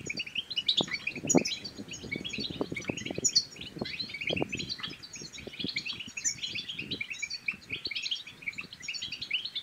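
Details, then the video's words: Batbata twittering of the European goldfinch, for stimulating male goldfinches and courting females. Continuous high, busy chirps and tinkles over repeated low clicks and knocks throughout. "بتبتات الحسون بتبتة تنطق اي حسون كان صامت سيغرد"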